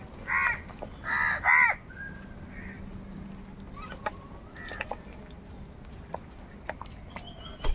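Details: Crows fighting for food: three loud, harsh caws come in quick succession near the start, the last two almost run together, then quiet background with scattered faint chirps and ticks.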